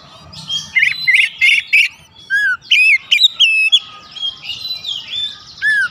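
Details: Oriental magpie-robin pancingan, a lure song meant to rouse excitement: loud whistled phrases with rising and falling slurs, bursts of buzzy notes, short pauses between phrases, faint low hum beneath.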